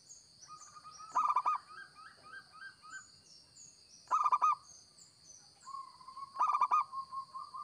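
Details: Local zebra dove singing, kept as a lure bird: three fast phrases of staccato coo notes, spaced about two and a half seconds apart. Fainter drawn-out tones and high chirps from other birds sound between them, with a steady whine.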